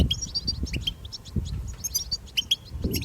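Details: European goldfinch twittering recorded in the wild: scattered bright chirps and short slurred notes with brief pauses, light low rumble in the background.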